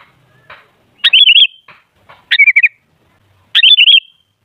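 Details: Lure recording of a sooty-headed bulbul: three loud, liquid warbled phrases about a second apart, with faint chips in between.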